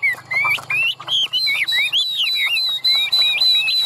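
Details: A caged Chinese hwamei in excited display sings high, ringing whistled notes, rising slurs repeated in a rapid, even series.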